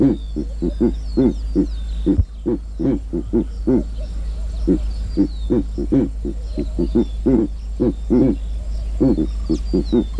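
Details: Long, steady series of deep rhythmic grunts, roughly two or three per second, from a giant eagle-owl in Kruger National Park. A brief knock sounds partway through, and small birds chirp and twitter in the distance.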